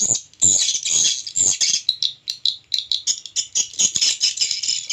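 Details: Swiftlet lure sound for swiftlet houses, stereo recording: rapid, uneven high chirps and twitters repeated about twice a second, with a few soft low thumps near the start.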